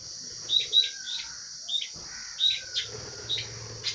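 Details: Lovebirds calling while eating food: short, high, sharp chirps in irregular bursts, about a dozen over a few seconds, above a constant high-pitched hiss in the background.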